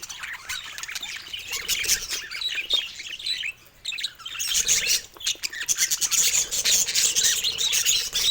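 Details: Baby budgerigar giving its first calls: dense, fast chattering of high squeaky chirps and scratchy warbles, repeated almost continuously with a short lull near the middle.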